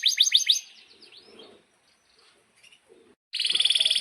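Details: Canary singing in lively 'gacor' style, used as a model for young canaries and ones that stopped singing: a short burst of rapid sweeping notes, a near-silent pause with faint chatter, then a dense buzzy trill.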